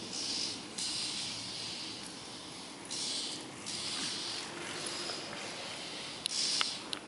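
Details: Frightened Oriental magpie-robin screaming in a series of harsh, hissy rasps, each lasting close to a second and repeated several times over seven seconds, ending with a brief sharp click.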